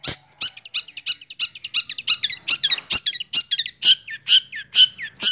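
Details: Young caged long-tailed shrike, six months old, in fast rolling song: rapid stuttering harsh notes mixed with curling whistled slurs, speeding up then ending in clearer whistles between sharp chacks.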